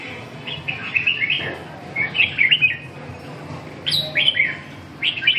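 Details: Red-whiskered bulbul during a training session, giving short bursts of bright, warbled chirping phrases separated by brief pauses, the last burst starting on a sharp high note, over a faint low hum.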